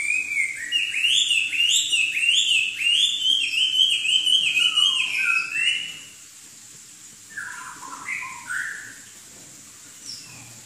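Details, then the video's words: Chinese hwamei from southern China in loud song: a rapid run of bright, rising-and-falling whistled phrases for about six seconds, then softer scattered whistled notes after a pause. "Kicau Burung Hwamei Wambi Gacor"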